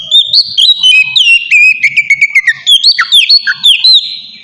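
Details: Oriental magpie-robin lure song meant to draw replies: loud, continuous warbled whistles that rise and fall, with quick chirps layered between the phrases.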